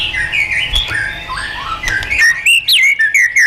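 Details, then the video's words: Caged white-rumped shama in training with wild-style song: varied whistled phrases sliding around mid-high pitch, then bright clipped notes and sweeping whistles in the final second and a half. "LUYỆN CHOÈ LỬA HÓT GIỌNG RỪNG HAY MỚI NHẤT"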